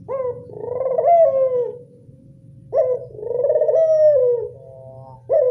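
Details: Two full calls from a local Barbary dove used to attract doves. Each starts with a short sharp note and runs into a long, pulsing coo that falls at its close. A third call begins just at the end.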